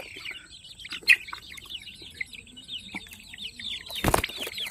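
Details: Peruvidai chicks on a chicken farm peep steadily in a high, thin overlapping chorus, each note a quick falling chirp, broken by a sharp click near one second and a burst of rustling noise toward the end.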